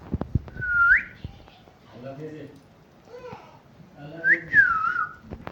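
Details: Talking pet parrot indoors giving two loud whistled phrases that rise, then swoop down and waver. Speech-like murmuring sounds fall between them.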